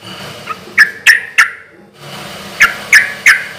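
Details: Loud, steadily singing sooty-headed bulbul, played to draw replies from other bulbuls: three clipped, bright notes in quick succession, a short gap, then another group of three, over a soft background rumble.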